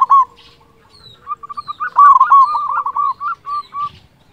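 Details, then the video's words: Local zebra dove with a big voice, kept to lure and stimulate other zebra doves: a long string of short cooing notes that speeds into a rolling trill, then slows into spaced coos, with faint high chirps behind. "Perkutut lokal gacor suara besar cocok untuk pancingan semua jenis burung perkutut"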